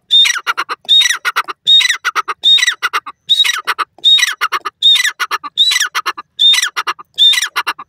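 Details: Francolin, the desi teetar, calling in the jungle on its first day out: loud harsh ringing phrases repeated roughly every 0.8 seconds, each opening with a sharp high note then a descending grating rattle.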